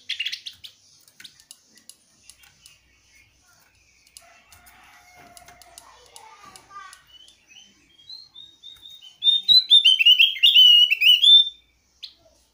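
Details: Javan grey-throated white-eye; call; calling a rival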